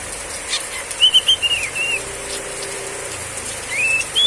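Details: Female Oriental magpie-robin singing in the riwik ngeplong style during heavy rain: a run of clear, high whistled notes rising and falling quickly, a short pause, then two rising whistled slurs, with a steady hiss of rain behind.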